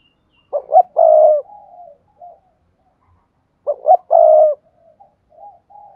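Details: Spotted dove repeating its coo phrase twice about three seconds apart, used to stimulate other doves to call; each phrase has two short rising notes and one long steady note, followed by soft faint trailing sounds.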